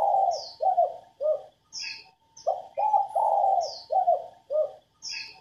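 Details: Female spotted dove cooing to train and stimulate male doves to coo. Repeated low coo phrases, each two to four husky notes, one long and drawn out. High descending chirps from another bird recur about every second and a half.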